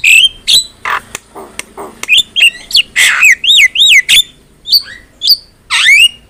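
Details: Vigorous Javan myna song from a bird-training recording: harsh chips, then a sequence of wavering looped whistles repeated about twice a second, closing with a long sweeping whistle.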